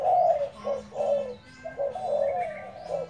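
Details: Spotted dove decoy cooing: low, husky notes in quick succession, a short lull midway, then another run of coos. Faint thin chirps sound above.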